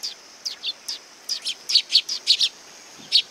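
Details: Sparrows gathering to be fed at a Tenmangu shrine on 18 August 2020 chirp busily: a string of quick, bright, high tweets, some in pairs, getting louder toward the middle.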